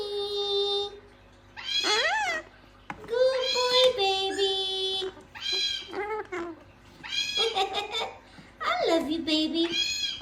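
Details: A pet male gang-gang cockatoo, indoors all morning, talks in short, speech-like phrases with a husky, childlike tone, rising and falling over several bursts in a small quiet room.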